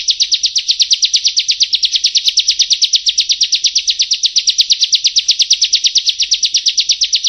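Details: Prinia song played to attract wild prinias in rice fields, a rapid, even string of sharp high buzzy notes, roughly six per second, running continuously without pause, slightly scratchy, no other sounds.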